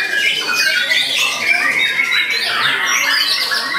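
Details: Murai batu, or White-rumped shama, unloading a large repertoire of mimicked material: rapid, tumbling mix of high whistles, trills and harsh buzzy notes packed tightly together, with no pauses.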